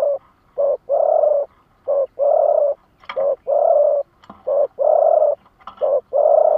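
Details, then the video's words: Captive decoy spotted dove calling to challenge rival doves, giving low mellow coos in a repeating short-long pattern, with a few faint clicks between phrases. "Tiếng chim mồi lụp đờn cò đấu bổi"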